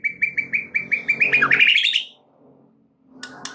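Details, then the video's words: White-rumped shama lure song for prompting other shamas to sing: a string of about nine quick repeated chip notes accelerating into a rising, buzzy sweeping flourish, then near silence with faint background hum. "PANCINGAN Murai batu untuk MEMIKAT murai lain AGAR GACOR dan TAMBAH ISIAN"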